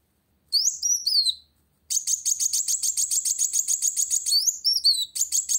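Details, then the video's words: A sunbird, kolibri wulung, sings to challenge a rival: falling high whistles, a pause, then a long rapid trill of sharp pulsed notes for over two seconds, closing with upswept chirps. "Kolibri Wulung Gacor Cari Lawan"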